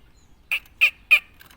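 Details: Tame Javan black-naped oriole, kept as a chatty cage bird, giving three loud, harsh, nasal squawks spaced about a third of a second apart in an otherwise quiet setting.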